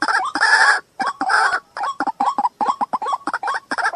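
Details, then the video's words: Loud, harsh calling from a white-breasted waterhen, July 2024. Raspy screech-like bursts alternate with quick chains of short, upturned nasal notes in an irregular, excited rhythm. "Jal murgi ki Awaaz 07/2024. TUFAN. Waterhen Call Sound."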